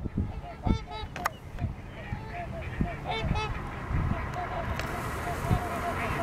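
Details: Snow geese calling, with repeated nasal, harmonic honks from many birds overlapping throughout, some louder near the start, over a steady low rumble of background noise.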